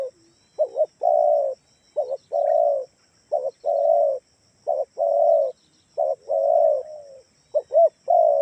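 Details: Lure call of a spotted dove, Kalimantan type, played so doves kept at home answer: mellow low cooing, short double notes then a sustained coo, repeated about every second and a half with little background.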